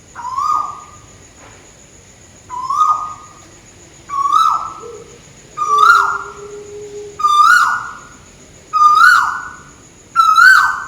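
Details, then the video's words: Seven repeated whistled calls from a tuwu bird overhead in Malaysia, each a steady note with a small upward lift and a sharp falling tail, spaced roughly 1.5 seconds apart, with a soft low tone in between. "Burung tuwu malaisia lagi bunyi diatas"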